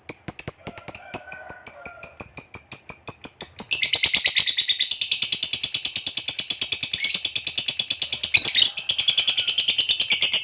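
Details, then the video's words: Long 'ngekek' chatter from a lovebird fighter, meant to trigger replies from other lovebirds. It opens with sharp separate ticking notes, then at about four seconds bursts into a dense, shrill, rattling trill that carries on to the end. "KICAU LOVEBIRD GACOR NGEKEK PANJANG Bangkitkan EMOSI, Lovebird Yang DENGAR Nyaut BUNYI Seketika"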